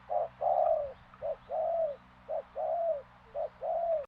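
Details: Spotted dove (tekukur) of Madura repeating a two-part coo, a short clipped note followed by a longer drawn-out mellow one, three times in quick succession, against a low background hum.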